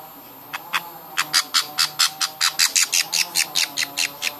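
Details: Baby budgies being hand-fed start softly, then give a steady run of loud, harsh begging squawks, about three per second, each rasping and clipped.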